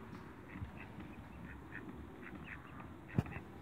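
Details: A pair of mallards meeting up gives soft, low quacking chatter, short notes repeated several times a second, over a steady low rumble with a sharp knock near the end.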